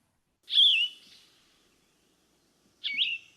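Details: Yellow-throated Vireo song, a bird of tall deciduous shade trees in forest, giving two short, burry, slurred phrases separated by a distinctive long pause of about two seconds.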